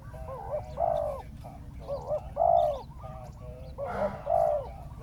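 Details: Spotted dove set out as a ground decoy to bring down a wild dove, cooing steadily: three repeated phrases in about five seconds, each a quavering two-part note and a longer, fuller coo.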